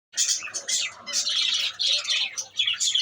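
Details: Lovebirds giving dense, shrill chattering calls, high scratchy twitters overlapping almost continuously.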